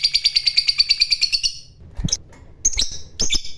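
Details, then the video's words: Fighter lovebird in ngekek trilling: a quick run of evenly spaced high chattering pulses lasting about one and a half seconds, breaking off into a pause, a knock, and then a few scattered sharp squeaky chirps. "Burung Labet Ngekek Fighter"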